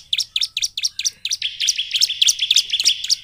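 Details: Bar-winged prinia in persistent 'gacor' song, used to provoke silent prinias into singing: a fast string of sharp, high chirped notes, about four per second, steady and bright with no other sounds.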